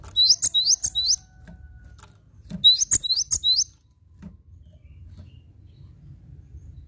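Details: Cinereous tit, recorded as a tutor song: two quick phrases of high, sharp repeated notes, each about a second long and a second apart, over faint low noise.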